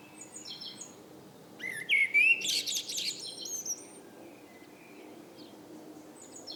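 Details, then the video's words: Eurasian blackbird singing in the evening: a single phrase of about two seconds, a fluty, slightly rising whistle running into a dense, high, twittering flourish, with faint high chirps from other birds before and after. "Abendgruß einer Amsel - Vogelgesang"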